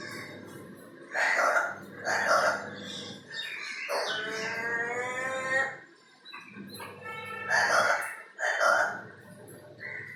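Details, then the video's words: Crow imitating strange noises it learnt by hanging around a window, recorded from far away; harsh broken calls alternate with a sustained, rising, tonal note that lasts about two seconds, over steady background noise. "Crow talking/imitating strange noises"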